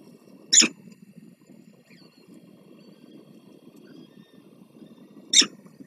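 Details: At a Warsaw nest where the male brings food and the female feeds small chicks, a peregrine falcon gives two brief, shrill squeals about five seconds apart over a steady low rumble of wind and city hum.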